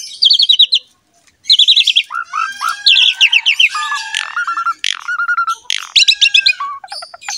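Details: Javan pied myna (jalak suren) song meant to prompt other mynas to sing; quick high chattering runs, pauses, then mixed squawks and short repeated whistled phrases.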